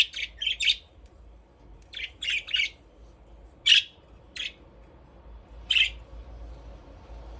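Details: Budgies in an aviary at play, calling in short, scratchy chirps that come singly and in quick pairs or triplets, irregularly spaced over several seconds.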